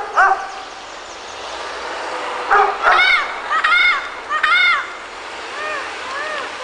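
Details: Wild Panama amazon pair in Panama calling back to a person: a series of loud, nasal, arching honks with rich overtones, some run together in rapid bursts, with quieter answering notes between and faint background noise.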